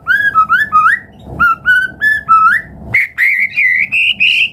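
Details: White-rumped shama song for drawing other birds into singing: a repeated series of rich, rising whistled notes with upward flicks, shifting to higher sustained wavering whistles.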